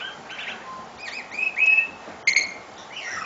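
A tui sings a varied run of ringing whistles, buzzy harmonic notes, sweeping slides and a sharp click, each phrase quickly changing pitch.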